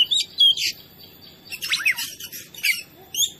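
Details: Oriental magpie-robin (kacer) in a training recording used to rile other birds: loud whistled chirps and buzzy slurred phrases delivered in uneven bursts with short silences between them.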